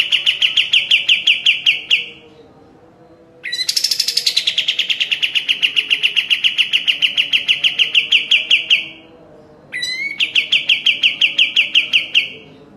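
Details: Master recording of a sooty-headed bulbul in lively song for caged birds: three rapid trills of bright, repeated chirps, the middle one longest and starting with a higher, harsher onset, separated by brief silences.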